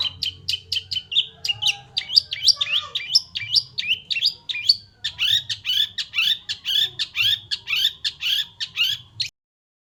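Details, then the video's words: White-rumped shama in lively song: a steady run of sharp, sweeping whistled notes, about one a second, some rising and some dropping, delivered in two long bursts with a brief gap. "mulai gacor"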